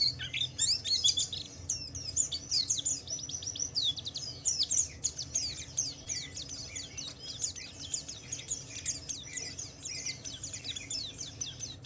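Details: White-eye twittering ngalas-style song used to draw other white-eyes into singing: a long, dense, high-pitched chatter of fast chirps, steady throughout, with soft background noise.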